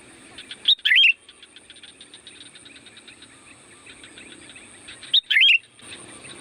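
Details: Sooty-headed bulbul lure song: two short warbled whistled phrases about four seconds apart. Steady rapid pulsed chatter and light background noise run between them.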